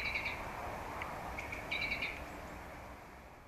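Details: A song thrush sings two short bursts of quick, bright, repeated notes about one and a half seconds apart, over a steady low background rumble, recorded along the Zauberwinkel and Kundler Bergweg in Germany, following a blackbird's song.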